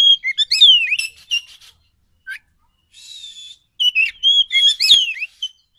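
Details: Forest Oriental magpie-robin song, played to provoke a reply: bursts of varied sweet whistles, slurs and sharp chips, broken by a pause and a short scratchy buzz, then another rich whistled phrase.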